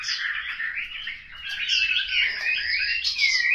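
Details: Chinese hwamei kept at home in Hanoi, giving slurred whistles and a few clear drawn-out rising and falling notes over faint low background noise.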